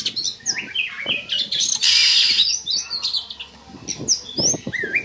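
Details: Lure song of an Oriental magpie-robin, played to stir breeding drive in caged birds: varied whistled slurs and upturned notes broken by a harsh scratchy burst midway, with soft clicks and knocks in the background.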